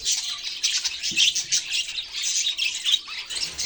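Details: Budgerigars chirping: dense, scratchy, high chatter of overlapping warbles and squeaks, continuous with quick rapid bursts.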